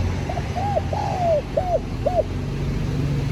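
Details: Spotted dove call for luring wild doves and stimulating a caged bird to coo: a short phrase of five mellow arched coos, the third longest and sliding downward, over a constant low engine-like rumble.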